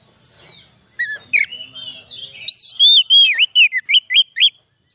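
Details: Oriental magpie-robin song played as a lure for trapping wild magpie-robins in the forest and to rouse other magpie-robins; a few soft notes, then loud clear whistles rising and falling in quick varied phrases, about three per second.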